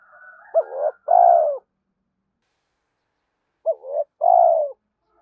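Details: Cooing spotted dove, played to get decoy birds calling quickly: a faint hum at the start, then two soft double-noted phrases, each a brief upswept note and a sustained sliding coo, about three seconds apart.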